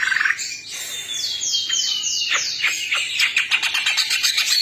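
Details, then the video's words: Greater green leafbird, twelve birds described as chatty and in full song, delivering a dense, fast run of sweeping whistles, buzzy rising slurs and rapid chips, about four notes a second, with overlapping calls throughout. "12 BURUNG CUCAK IJO 🐦🐦🐦 CEREWET DAN GACOR"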